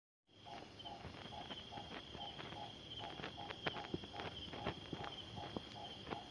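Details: Nightjar, known in Thai as นกตบยุง or นกตาฟาง, giving its deep-toned call: short hollow notes repeated about twice a second, set against a steady high insect whine and scattered sharp clicks.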